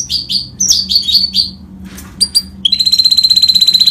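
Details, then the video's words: A goldfinch mule (Himalayan finch cross) sings high, fast twittering phrases, then shifts into a rapid, even trill of bright notes, about four per second, with a low hum underneath. "Top Mule Himalayan Finch Sound Goldfinch Full rolling time Sining"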